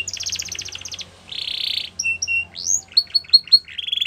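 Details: Canary song for training, opening with a fast pulsed high trill, then a buzzy roll, paired short whistles, a rising sweep and a run of quick repeated chips ending in a rolled note.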